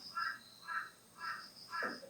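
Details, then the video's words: Crows calling outdoors near a group counseling space: four evenly spaced harsh caws about half a second apart, quiet background. "지금 까마귀가 그렇게 말하고 있죠."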